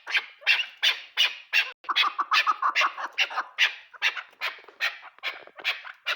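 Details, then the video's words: Chukar partridge giving rapid, rasping chuk notes about three per second, the rhythm briefly crowding into a quicker, overlapping burst before settling back into even repeats. "keklik sesi chakor birds chakor ki awaz"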